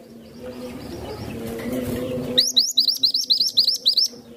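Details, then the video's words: Caged songbird kept as a tutor for other birds, its voice praised as pleasant, calm and steady: a quick run of about nine sharp, rising chirps, evenly repeated over two seconds, after a stretch of low humming background noise. "BURUNG MASTERAN IMUT NAN CANTIK..SUARANYA BAGUS ADEM SEJALUR"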